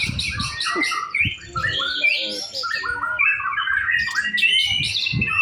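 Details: White-rumped shama in a practice singing contest, a rich run of varied whistles and rapid trills mostly in the upper range, with low thumping noises at intervals.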